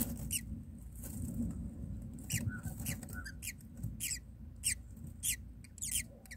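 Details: Myna chicks begging in the nest while a parent feeds them: short, squeaky, downward-sliding high chirps in scattered bursts over a low rumbling background.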